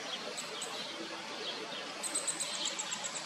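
Downy woodpecker chicks give a fast series of thin, very high ticking notes in the last second and a half, over a steady background hiss.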